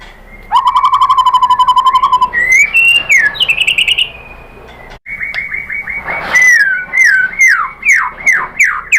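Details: White-rumped shama singing loudly as a lure for rival shamas: a long fast buzzy trill, then rising whistled notes, then a series of clear downslurred whistles repeated after a short pause.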